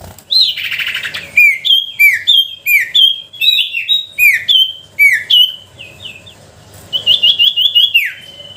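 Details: Sooty-headed bulbul song used as a lure to provoke others to sing; a rough burst opens, followed by a lively, rhythmic string of whistled notes, each dropping in pitch, then a quick wavering trill.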